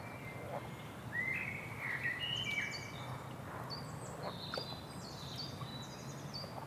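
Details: Bird song of clear whistled phrases: level and slightly rising notes at mid pitch, then higher short whistles repeated toward the end, against soft outdoor background hiss.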